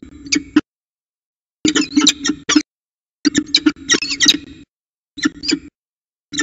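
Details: Peregrine falcons at a nest with eggs in Orange, CSU, New South Wales, recorded 5 September 2020. Harsh, squealing chatter comes in several runs of quick notes broken by short silences, the middle bursts the loudest and busiest.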